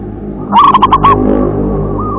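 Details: A single loud burst of about five quick, ringing coos from a local zebra dove in WER-KE-TE-PEK song style, followed by faint, lower cooing.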